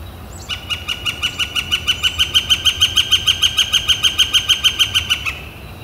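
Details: Northern flicker calling on a warm, clear spring day, April 28, 2014: a loud, rapid series of even, ringing notes, about three per second, held steady for five seconds before stopping abruptly.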